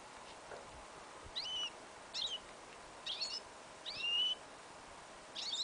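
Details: Goldfinch and yellow isabella canary hybrid, recorded outdoors in a field in winter, January 2015, singing an incomplete song: spaced, separate high slurred and chattering phrases at roughly one-second intervals over a low steady background hiss.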